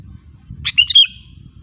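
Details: Single short bubbly phrase from a sooty-headed bulbul, a song played to entice other bulbuls to sing, over a steady low background hum.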